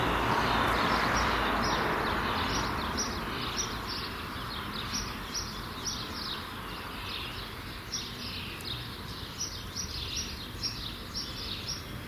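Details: Common starling nestlings about to leave the nest: a regular series of short, scratchy, raspy notes, about three each second, over steady background noise that is louder at the start.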